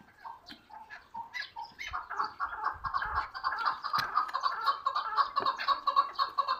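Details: Hunting chukar partridge starts with a few scattered clucks, then settles into a fast, even stream of rasping chuk notes that grows louder and steadier toward the end.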